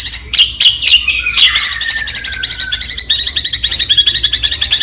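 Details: White-rumped shama song with many imitated phrases, meant to provoke other shamas. Dense high chattering, with a long descending whistled line, over rapid pulsing ticks throughout.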